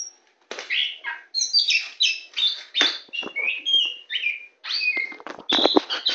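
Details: Very tame Oriental magpie-robin of the black-bellied poci form, a champion bird, singing while perched on a hand: a rapid, varied run of clear whistles, slurred rising and falling notes and sharp chirps, phrases packed closely with brief pauses.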